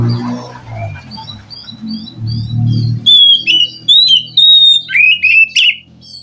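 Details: Wild forest white-rumped shama, singing in response to a captive bird reluctant to sing: soft high notes and low background rumble at first, then loud, clear whistled phrases with sharp, slurred notes.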